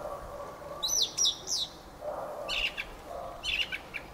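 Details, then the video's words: Fieldfare singing: a squeaky high warble near the start, followed by two rough, buzzy chattering bursts about a second apart, with soft low sounds in the background. "Fenyőrigó ( Turdus pilaris ) éneke."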